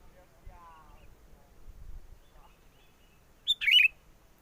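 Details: Sooty-headed bulbul heard as a trapping lure in strong wind: soft low rumbling wind and faint distant chirps, then one loud short bubbling whistled phrase near the end.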